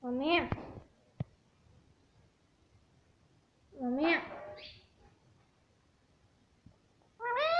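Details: A pet parrot talking indoors, saying words such as mummy and papa: short nasal, wavering voice-like phrases separated by long quiet pauses, with a faint click between them.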